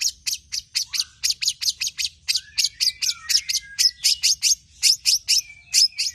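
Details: Long-tailed shrike song rich in mimicry, used to prompt other birds to sing: fast high chirps repeated steadily, broken by a few lower slurred whistles.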